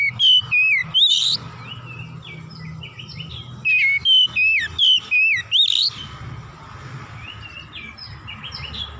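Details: Oriental magpie-robin, worked up and emotional, delivering its full repertoire in two bursts of rapid whistled and scratchy notes separated by a softer, quieter warble.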